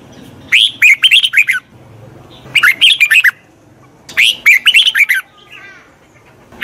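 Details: Red-whiskered bulbul singing to train a wild-caught bird, three lively phrases of quick warbled, whistled notes, each around a second, with brief quiet gaps between them.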